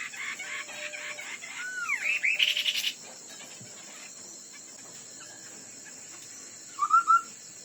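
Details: Chinese hwamei in a fighting song contest: clear whistled notes, rising and falling slurs near two seconds, then a brief bright phrase near seven seconds, over a steady high electronic hum.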